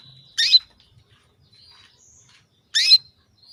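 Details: Female canary's call to a male, meant to raise his breeding drive: two strong, brief, high chirps with falling sweeps, about two and a half seconds apart, in otherwise quiet surroundings.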